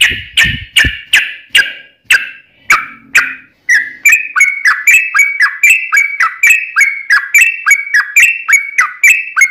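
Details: Yellow-vented bulbul singing to draw other bulbuls into song: spaced single sharp notes at first, then a long, quick chain of rolling, up-and-down whistled notes.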